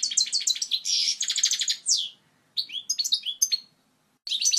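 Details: European goldfinch's clear native song for tutoring chicks: a rapid tinkling trill and buzzy rattle, a drawn-out pause, a scattered run of twittered notes, another silence, and a final burst.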